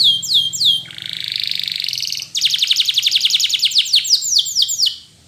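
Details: Spanish Timbrado canary song used to train other canaries, opening with swooping downward whistles, then a sustained rolling trill, then a rapid run of clipped metallic notes and looping descending whistles.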